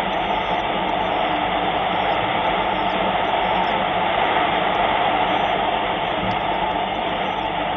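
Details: Steady, dense broadband hiss and rumble throughout, like an engine or wind on a microphone, with no animal voice.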